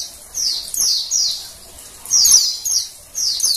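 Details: Female Oriental white-eye (Zosterops palpebrosus) call used to stimulate males to sing: thin, very high, downslurred chirps in quick pairs, about six notes in under four seconds, with nothing else heard.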